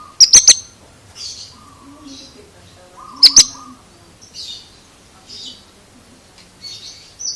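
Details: Oriental magpie-robin making odd notes: two loud, metallic chirp pairs about three seconds apart, with soft breathy high phrases and faint low humming tones between them.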